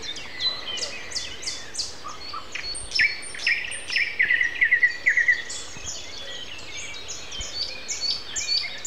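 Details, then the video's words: Common nightingale singing at 7:55 on a Sunday morning, April 29, among other songbirds; rapid repeated ringing notes build into a fast trill around the middle, with scattered high chirps and whistles from other birds over steady background hiss. "Morning concert. Nightingale and Со."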